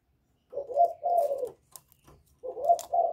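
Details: Spotted dove using the 'giọng thổ' style to provoke rival males; a low coo pair, a gap with faint clicks, then another short-long pair of soft hollow coos.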